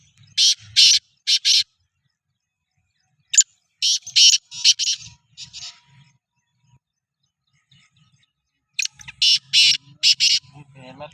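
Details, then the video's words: Kept black francolin in preparation for chakri calls in clusters of rasping, grating notes, two or three at a time, then a longer run of five, with pauses between groups and faint low background sound beneath. "Kala Teetar ki Chakri ki Tyari 2024 | چکری کی تیاری |Black Frankoline"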